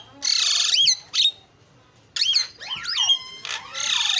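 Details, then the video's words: Starling singing a lure song of harsh noisy bursts, sweeping whistled slurs and a rising-falling whistle, separated by short pauses. "SUARA JALAK PALING KREN KICAUAN JUARA"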